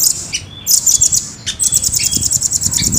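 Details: Rambatan, or velvet-fronted nuthatch, giving high, rapid chipping notes that run into a tight rolling trill.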